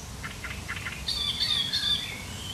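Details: Sharp, chattering song of a great reed warbler, recorded 1 July 2020: a quick burst of harsh grating notes, then high thin whistled strands, over a steady low rumble.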